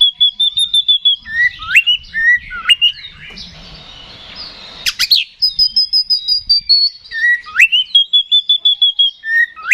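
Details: Oriental magpie-robin (kacer) song used to bait a rival into fighting: rapid trains of pulsed whistles, hooked upslurs and a burst of harsh hissing noise midway, then the pulsed whistles resume.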